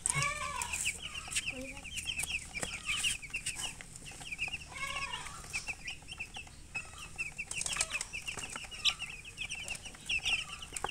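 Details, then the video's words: Baby chicks peeping in steady, overlapping runs of bright high chirps, with occasional lower, falling notes from one chick and a faint constant hum. "Baby "Chicks Chirping" Sound"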